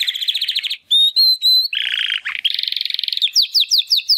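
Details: Young Timbrado canary brothers' first song attempts after their first molt, hatched in the second 2020 breeding; a buzzy trill, drawn-out pure whistles, rolling trills at two pitches, then rapid falling notes.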